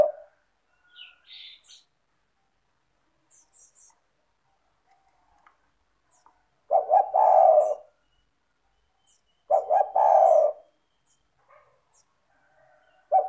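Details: Spotted dove (tekukur) call meant to prompt lazy doves to sing: soft high chirps early on, then two widely spaced, loud, gruff cooing phrases about three seconds apart, with faint twittering between them.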